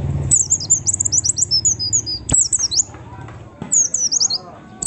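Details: A lure recording of a white-eye meant to set other white-eyes singing: a long run of rapid, very high, tinkling descending notes, a short pause, then more quick chirped phrases, with faint low background noise.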